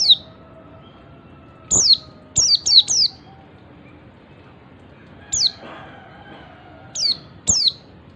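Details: High, piercing downslurred whistles from an Oriental white-eye in ngalas call, said to prompt other white-eyes to join in. Single notes are spaced by pauses, with one quick trio near the middle.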